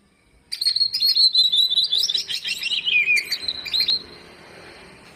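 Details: Full isian song of a greater green leafbird, used to lure reluctant birds into singing. A rapid high chattering run descends steadily, then ends with a sharp high note and quiet.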